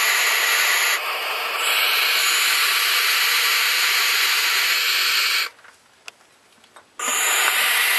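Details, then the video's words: Three young barn owls (Tyto alba) left alone at the nest site their mother returned to this year: a continuous rasping, steam-like hiss that stops for about one and a half seconds, then resumes. "Filhotes de Suindara vocalizando."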